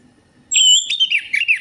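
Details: Orange-headed thrush song from a lure meant to coax singing: a short strong whistle followed by rolling, wavering warbles, with a faint high thin tone at the start.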